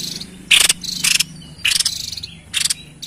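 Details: White-chested babbler song used for luring wild birds: four loud, rasping, broadband bursts, each about a quarter second long, spaced roughly every half second to a second.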